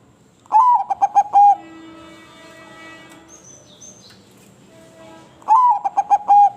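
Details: Perkutut, a crossbred zebra dove kept by Indonesian fanciers, delivering two melodious cooing phrases, each a slurred opening note, quick rolling coos and a held final note, separated by a pause filled with a faint hum and brief whistled tones.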